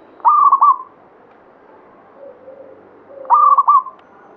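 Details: Local Javanese zebra dove (perkutut lokal) of the Banyumili katuranggan type singing: two loud, rapid, stuttering cooing phrases about three seconds apart, softer dove coos faintly between.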